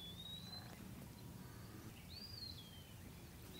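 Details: Eastern wood pewee giving two thin, pure whistles: the first slowly rises, then after a pause the second sweeps up and slurs down. A low rumbling background runs throughout.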